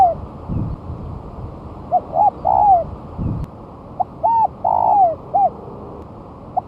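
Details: Spotted dove, one month past its moult, placed on the ground and calling vigorously as a lure: rhythmic phrases of hollow coos with a drawn-out falling purr, repeated about every two and a half seconds, with faint thumps.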